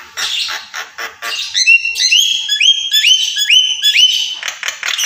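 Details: Pet Javan myna opening with harsh rasping bursts, then a series of clear whistled notes, each sliding upward, repeated about twice a second before ending in scratchy chatter.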